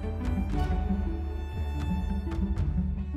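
Dramatic music with deep drum beats and sustained tones plays throughout, with no animal sound heard.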